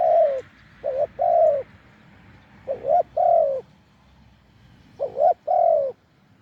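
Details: Deep-voiced wild spotted dove during decoy luring on a branch: three phrases of hollow coos, each a short rising note and then a longer falling one, spaced about two seconds apart.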